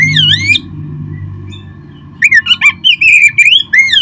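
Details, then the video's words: Oriental magpie-robin in song, a recording used to stimulate kept birds: a swooping whistle, a quieter gap with low humming, then a quick run of varied whistled and chattering notes. "perangsang terb4ik jadikan Kacer Anda nge-play gacor seketika."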